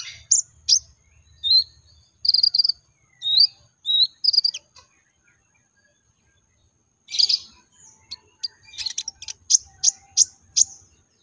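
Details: Konin or Brown-throated sunbird lure song for drawing out singing in other sunbirds: scattered high chirps and short trills, a silent gap of about two seconds, then a fast series of sharp, high ticking notes.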